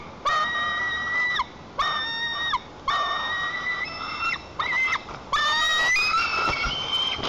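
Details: Young white-tailed eagle in its nest in Lower Kama National Park, Tatarstan, on 21 July 2023, guarding the nest against its mother in a temper fit. Long, level, ringing screams of about a second each, the final ones sliding upward.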